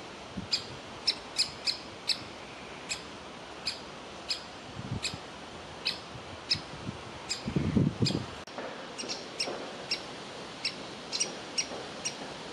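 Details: Woodpecker nestling in a tree cavity begging for food while its parents want it out; a long series of short, high calls, some in quick pairs, with a rustling burst partway through.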